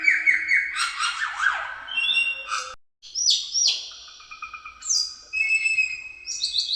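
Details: Cucak keling singing as a lure for other birds: a warbled run of quick falling notes, a short break, then clear swooping whistles and bright high phrases.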